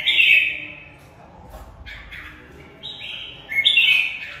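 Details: Competitive song of a caged red-whiskered bulbul of the Mộc bộ type: a strong warbled phrase, a quieter pause, then clipped whistled notes building into a loud final flourish.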